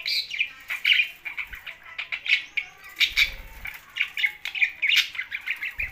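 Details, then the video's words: Budgerigars kept with a parrot chirp steadily in quick, overlapping warbles and clicks, with a brief wing flutter around the third second. "Can Budgie's And Parrot's live Together"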